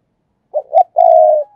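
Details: Ornamental decoy spotted dove giving its urging coo: a pair of short coos, then a long, steady, buzzy-trembling coo that fades out. It is recorded close in quiet surroundings.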